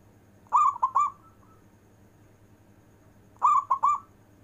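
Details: Zebra dove, a prized local bird, giving long-breath cooing. Two loud phrases, each of three quick ringing coos with a rolling tremor and a trailing note, about three seconds apart. Faint low hum underneath.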